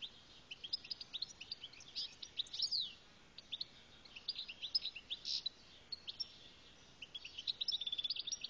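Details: Algerian goldfinch singing: a quiet, rambling stream of high twittering chirps and tinkling notes, with brief liquid trills and a short downslurred note near the middle, over steady faint hiss.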